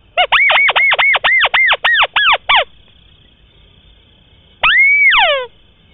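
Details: White-browed crake call played as a lure for hunting birds in swamps and rice fields: a fast run of about ten harsh, downward-sweeping nasal notes, then a level whistled note breaking into cascading falling notes; steady high hum behind.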